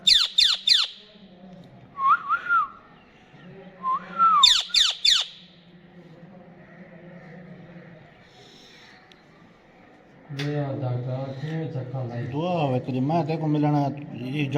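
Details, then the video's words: Talking pet rose-ringed parakeet giving sharp descending screeches in quick bursts, looping whistled notes between them, then a busy stretch of warbled, voice-like chatter over a low hum. "Ring Neck Talking Parrot"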